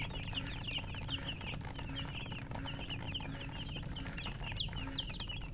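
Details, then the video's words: Young domestic chicks give a steady stream of shrill, short, downslurred cheeps, many birds calling at once in a lively overlapping chorus, above a low background hum. "Witty MURGI Baby "Chicks Chirping" Sound"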